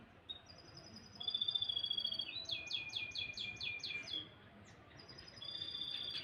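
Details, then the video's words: Canary singing in the morning: a thin high whistled note, then a loud rapid series of repeated downslurred syllables, pausing before another steady whistled phrase. "kicauan burung kenari"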